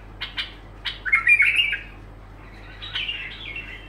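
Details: Bulbul song phrase: a few sharp clicks, then a clear slurred warble, followed by a softer trailing run of notes, over a low steady hum.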